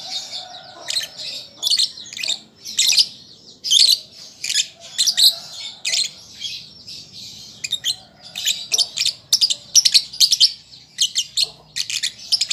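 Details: Young lovebird learning to sing: bursts of harsh, high squeaky chirps and short buzzy notes, some in rapid clusters, separated by brief pauses, with a faint low hum beneath.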